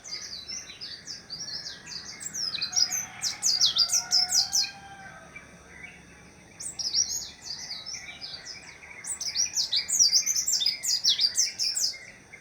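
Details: White-eye pouring out long, fast phrases of very high, jumbled chirps and zipping slurs, two extended bursts split by a brief lull, with faint lower warbles beneath.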